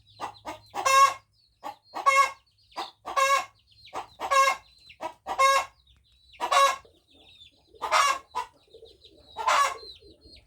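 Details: Hen crowing repeatedly: eight hoarse, clipped crow bursts about once a second, each preceded by short clucks, with fainter calls trailing off.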